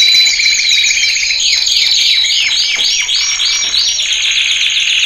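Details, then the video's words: Male canary training song, starting with a high trill. It moves into a series of six or seven swooping whistled notes, each sliding sharply downward, then returns to a steady roll. "Kanarya Eğitim Sesi Erkek / Kanarya Eğitim Ötüşü / Yüksek Kanarya Sesi"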